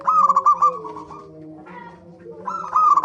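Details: Zebra dove lure song to encourage birds to sing: a run of fast, ringing coo notes fading into softer cooing, a quiet gap with faint calls, then the brisk trilled cooing returns.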